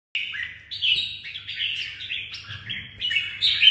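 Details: Kept red-whiskered bulbul from Vietnam singing a lively string of short warbled, slurred phrases that jump between mid and high pitches, with brief pauses, over a faint low indoor hum.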